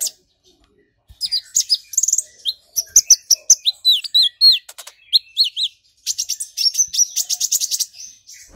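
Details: An excited, provoked purple-throated sunbird sings fast runs of thin, high chirps and slurred notes, broken by dry buzzy trills mimicking a golden grasshopper.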